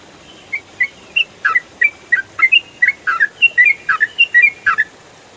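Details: Yellow-vented bulbul (trucukan) singing in the quick 'ropel' style, made for training songbirds: evenly spaced sharp chirps that grow denser, mixing level whistles with falling, buzzy-edged notes.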